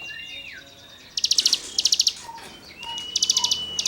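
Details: Songbird tutoring material from a cigun: gliding whistles lead into short clusters of fast high rasping notes, with soft low whistled blips between clusters.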